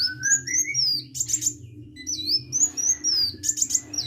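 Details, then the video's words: Hummingbird singing vigorously: high, thin whistled notes that slide upward and downward, mixed with short buzzy bursts, delivered rapidly and continuously, with a low steady hum underneath. "KICAU BURUNG KOLIBRI GACOR"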